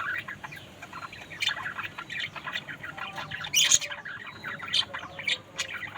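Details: Budgerigars chatter in a busy mix of high tweets and squawks, with one sharp, piercing call standing out midway.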